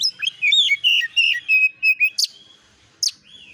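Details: Oriental magpie-robin lure recording to provoke replies: a flowing run of wavering whistled notes, followed by two sharp upswept chirps with brief pauses.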